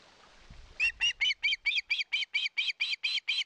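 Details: Osprey on its nest in Satakunta, Finland, recorded by a live camera in 2022 while begging for fish: a quick, evenly spaced series of loud, high, slightly buzzy yelps, about two per second.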